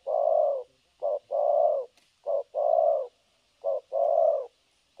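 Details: Spotted dove kept as a decoy bird for trapping, cooing continuously in the style locally called thổ cấn sấm nước; low coos come as a short note followed by a longer drawn-out note, pairs repeating about every 1.3 seconds, over a faint steady high hiss.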